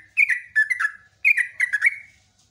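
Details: Two short phrases from a sooty-headed bulbul's long lure song, each a quick cluster of three liquid, slurred whistled notes.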